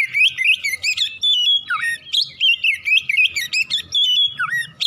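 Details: Oriental magpie-robin singing in the morning, used to spur other birds to sing: loud, rapid, varied phrases of whistles, sliding notes and sharp chirps, hardly pausing.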